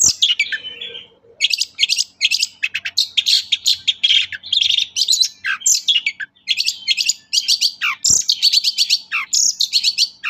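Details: Long-tailed shrike, Indonesian lure recording for shrikes that rarely sing: dense, rapid run of high sharp chirps and scratchy notes with occasional downward swoops, almost continuous for ten seconds.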